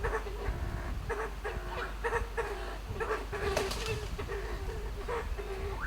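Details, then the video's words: Western Himalayan sanctuary at nightfall: a Kalij pheasant ascending a tree to roost repeats short, low, harmonic clicking notes in quick bursts, forming a continuous trill over a faint background hiss. "Kalij Pheasant makes beautiful trilling - clicking sounds from roosting tree"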